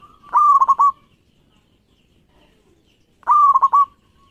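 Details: Local zebra dove calling persistently, used to draw other doves into song: two strong phrases three seconds apart, each a clear sustained coo interrupted by three or four fast stuttering pulses, otherwise quiet.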